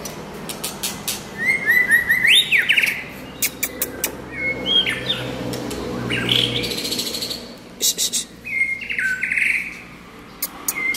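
White-rumped shama singing rich, varied whistled phrases, some sweeping sharply upward, mixed with sharp clicks and chips; a faint indoor hum underneath.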